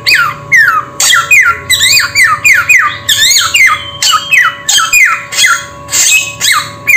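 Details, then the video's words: Repeated harsh samyong calls, each a buzzy squawk ending in a falling whistle, delivered steadily at roughly two per second, with a low hum underneath. "Suara Burung SAMYONG"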